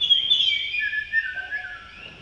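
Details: Male Blue-throated Blue Flycatcher at Tashiding, Sikkim, India, May: a high sweet whistle gliding downward and fading, with a faint lower note at the end.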